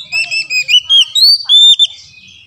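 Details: Oriental magpie-robin, locally kacer, singing a lure song for stubborn silent birds: clear whistled phrases, some sliding upward, held notes near the end, then tapering off quietly.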